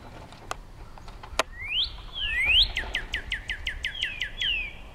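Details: Male Northern cardinal singing to his mate: a couple of sharp clicks, two loud upward-sweeping whistles, then a rapid string of about ten short repeated chips ending in a slurred whistle.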